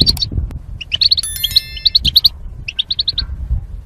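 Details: Goldfinch song from caged mating pairs used in singing training: rapid chirps in runs, a thin sustained whistled tone mid-phrase, then evenly spaced chirps, over low background noise.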